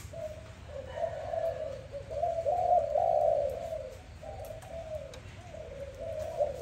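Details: Soft low cooing from a dove in the morning, phrases rising slightly and falling in a continuous wavering line, quiet hum behind.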